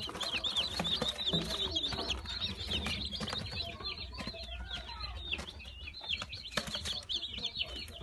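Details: Freshly hatched Brahma chicks on 22 April 2018, to be rehomed, give rapid high cheeping from many birds at once, several peeps a second, over background shuffling and brief flapping.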